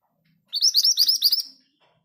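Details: One second-long rolling phrase from a mountain scarlet minivet kept with other birds: about eight rapid, high, rising whistled notes run together at a steady speed, then silence.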